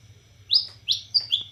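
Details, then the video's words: Borneo white-rumped shama singing cililin-style: three or four sharp, high, upswept whistles in quick succession over a faint low hum. "Murai Batu Borneo Gacor Nembak Cililin"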